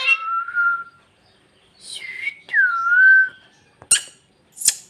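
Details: Bhojpuri talking pet parrot giving drawn-out whistled words, one falling smoothly and one dipping then levelling, followed by two sharp noisy clicks.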